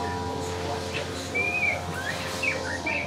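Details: Magpie-robin or shama, a two-month-old male chick starting to learn to sing, giving a few short, sweet whistled notes, some rising, some slurred, sparsely over a steady low electrical hum.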